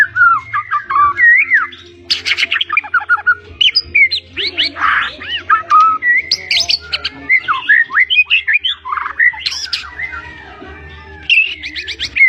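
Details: White-rumped shama of the blorok colour form singing a long, full, varied song: dense rapid phrases of rising and falling whistles, buzzy trills and sharp chips, with barely any pause across twelve seconds.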